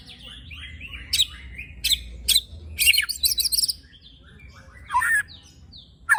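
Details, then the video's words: Murai batu, the white-rumped shama, giving harsh scratchy 'besetan' notes and chattering bursts mixed with short whistles. A coarse-filled song used to provoke rival shamas, over a faint low hum. "Tembakan Dan Besetan Murai Batu Isian Kasar Ampuh Memancing Emosi Murai Batu - Shama Bird"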